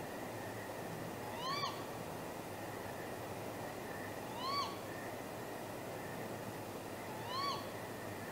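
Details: Great grey owl pair courting at midnight on 23 April 2019, possibly mating, near the nest. Three rising-then-falling whistled cries sound several seconds apart over a steady mechanical hum.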